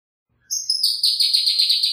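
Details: Pyrrhuloxia (Cardinalis sinuatus) song: a single high, clear whistle that slides gently downward and roughens into a fast, buzzy trill over about a second and a half.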